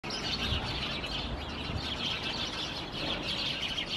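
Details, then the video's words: House sparrows calling among climbing plants in Helsinki, Finland, in September 2021: a steady flock chatter of overlapping high chirps, continuous throughout, over low background rumble. "Sounds of House Sparrows among the climbing plants"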